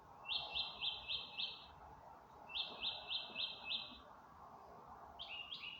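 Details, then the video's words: Birds singing in the dark of night, May 27, 2025: two loud runs of five rapid, high, clipped notes separated by a pause, then a short quieter rising-falling phrase, with a faint continuous background hum. "in the dark of night the birds are singing"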